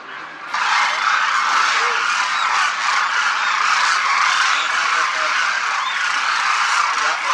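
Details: Demoiselle cranes massed in the sky above a Rajasthan village: a quiet start, then a sudden swell of loud, dense crooning calls from the flock that stays steady throughout.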